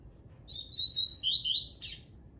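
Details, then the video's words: Tui Tui style song of a double-collared seedeater: a run of bright, high chirped notes sliding lower in stages, ending with a buzzy rising flourish, delivered once over quiet low background noise. "Papa Capim do peito amarelo Tui Tui"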